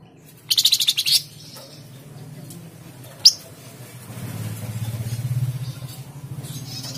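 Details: Flamboyan bird, tledekan jati style song meant to coax cage birds into singing: a brief rapid rattle of high, buzzy notes near the start, one sharp chirp later, with a rumbling engine-like drone in the background.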